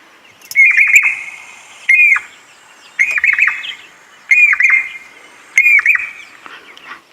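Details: Early morning at a dam as birds wake, a Jacobin cuckoo, a migrant, gives loud, ringing whistled phrases of quick piping notes, repeated about every second and a half. No other sounds stand out.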